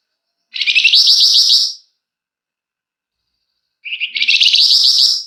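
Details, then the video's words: A flamboyan singing long, tight ngebren and emotional nyecret, gacor, for prompting other birds to sing; two dense, high, scratchy trilled phrases of over a second each, the second opened by a short lower note. "Burung Flamboyan GACOR Ngebrenn RAPET PANJANG!! Nyecrett Emosi Cocok Buat Pancingan"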